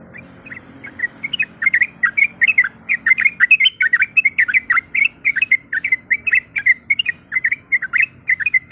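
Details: Yellow-vented bulbul female calling to a male, used to stir up a rival: a quiet start, then fast, lively bubbly warbling notes, about four per second, continuing to the end.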